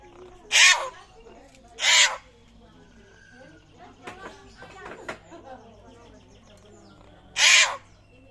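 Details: Raptor-like calling of a rare butcherbird from Papua: three harsh, rasping screeches, two close together early and one after a long gap, with faint clicks and soft notes in between.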